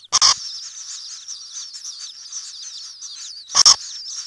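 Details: Common kingfisher inside its nesting burrow: continuous high, thin, wavering chirping, interrupted by two loud sharp knocking bursts at the start and near the end.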